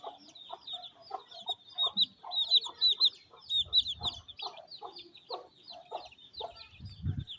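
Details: Hen feeding her cute chicks during rain in a Pakistani village, giving steady low clucks about twice a second, over a constant chorus of shrill, high chick cheeps; a few low thuds near the end.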